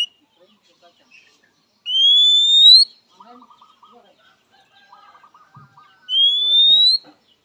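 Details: {'caption': "Oriental magpie-robin's characteristic rival-calling whistle: two long, pure, upward-sliding notes about four seconds apart, with soft scratchy chattering in the gap between them."}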